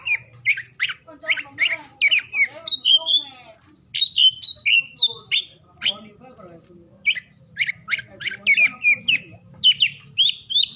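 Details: Oriental magpie-robin (kacer) song, morning to afternoon: quick clusters of bright whistled notes at a fast, steady pace, with a brief soft pause near the middle before the busy whistling resumes.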